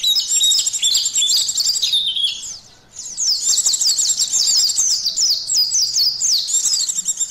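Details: Loud, continuous high twittering of a white-eye, meant for testing mental state and arousal: tumbling slurred notes and buzzy trills, one brief break, then more rapid chirping runs.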